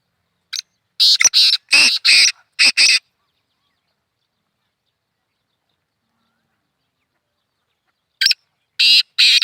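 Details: Black francolin, known locally as kala teetar, heard in hunting context: one rasping phrase of five harsh, clipped notes, then a long silence before a second phrase begins.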